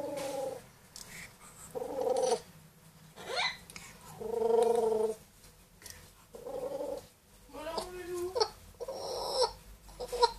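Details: Pet grey parrot, two years old, and pet Amazon parrot, one year old, kept at home; short voice-like harmonic phrases, mimicked words and noises, separated by pauses over a low room hum.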